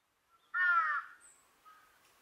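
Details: Large-billed crow giving a single harsh, nasal caw lasting about half a second, followed by faint, lower distant calls.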